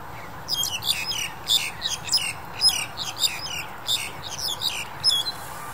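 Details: Black-collared Starling during the January 2021 pandemic period: separate bursts of harsh, squeaky chattering, each under a second, repeated roughly every half second to second.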